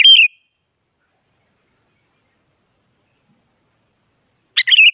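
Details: Sooty-headed bulbul singing actively to push rival bulbuls into song: the tail of a whistled phrase at the start, long silence, then another short chirping, warbling phrase near the end.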